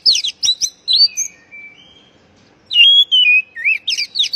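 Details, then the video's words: Oriental magpie-robin call meant for stressed birds that have stopped singing: quick scratchy notes and a falling whistle, a pause, then a loud sequence of varied whistles and rapid twisting chatter. "panggilan kacer bahan stress macet bunyi"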